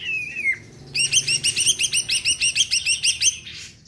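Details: Greater green leafbird in gacor song, meant to make other birds sing: a falling whistled slur, then a fast run of bright, repeated chirping notes in strings of about fifteen at a quick, even pace.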